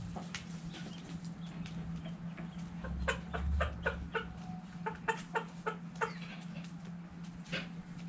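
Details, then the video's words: Chickens and roosters dirt bathing, giving short, dry clucks in irregular bursts, clustered more densely in the second half, over a steady low hum. "Chickens And Roosters Dirt Bathing Clucking Crowing"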